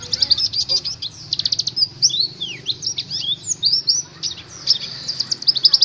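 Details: White-eye from Indonesia's songbird hobby, in fast, busy song: buzzy rapid trills mixed with high swooping whistled slurs and sharp chirps, running almost without break.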